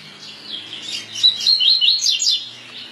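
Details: Double-collared seedeater singing in the "tui tui" song type: a rapid run of high, thin warbled and twittering notes over about three seconds, with faint low background hum.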